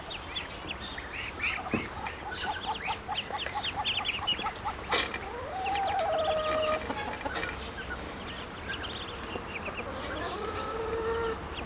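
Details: Young ducklings, bigger now and hungry, peep again and again in fast irregular high chirps, with a few longer drawn-out whistly calls and a low hum throughout.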